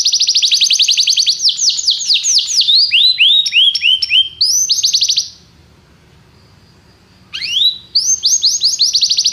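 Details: Canary singing rapid high trills and descending whistled sweeps for about five seconds, a two-second silence, then the song resumes with rising notes and fast rolls; meant to prompt canaries to sing.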